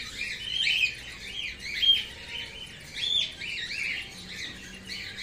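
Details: Male grey whiteface cockatiel calling in repeated looping chirps, each note swooping up then down, roughly one a second, with a couple of brief thin whistles in between.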